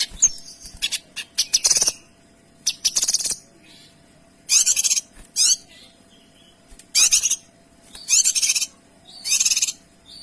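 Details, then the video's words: Kinoy in rapid, clear gacor tembakan song: loud bursts of fast, harsh, high notes repeated roughly every second or so, each burst lasting about half a second, separated by short quiet gaps. "Suara Kinoy Gacor Tembakan Rapat dan Jernih"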